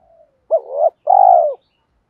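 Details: Spotted dove decoy calling to lure wild doves. A single mellow phrase: a clipped opening coo, a rising middle note, then a long, even coo that tails off downward.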